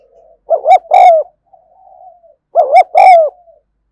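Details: Spotted dove cooing in the 'thúc gù' style one afternoon: two loud phrases, each a quick two-part note leading into a long falling coo, separated by soft, quiet murmuring notes.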